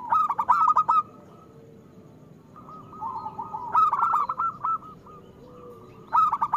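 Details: Local zebra dove singing loudly as a lure for other doves: a short burst of rapid coos, a quiet gap, then a longer bubbling phrase and a final burst.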